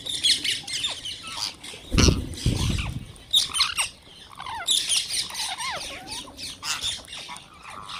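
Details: Wild green parrots while being fed: bursts of harsh, high squawking from a flock, interrupted by deep thuds, with rising and falling chattering notes between.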